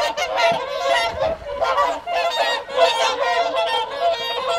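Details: Evening feed of whooper swans on the Folly Pond at WWT Caerlaverock, January 2023; a loud, crowded din of trumpeting honks from the flock, pulsing in waves roughly once a second.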